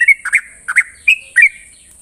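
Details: Short burst of sooty-headed bulbul morning song in 'ropel' style: five loud, liquid whistled notes, each briefly rising or falling, spaced roughly a third of a second apart, then quiet with faint hiss.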